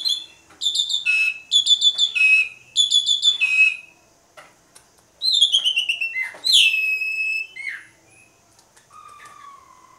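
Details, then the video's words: Asian pied starling in lively full song: loud, bright whistled phrases with harsh chattering notes in quick bursts, rising and falling, then a lower sustained whistle at the end. "JALAK SUREN GACOR MOMPA"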